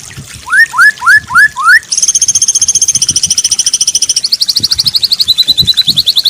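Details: White-rumped shama training song for a bird gone silent from stress: five rising whistled slurs, then a long, very rapid, piercing trill that steps lower in pitch twice.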